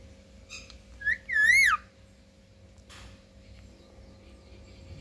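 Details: Parrot, known locally as mithu, whistling: a short rising note, then a longer wavering whistle that rises and falls, with a faint rustle afterward in a quiet room.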